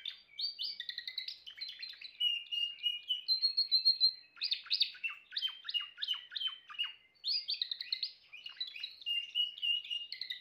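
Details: Long Timbrado canary song phrase: rapid, regularly pulsed notes at about three per second, shifting between a high warbled register and lower rolling stretches, with a held note near the middle and short pauses between passages.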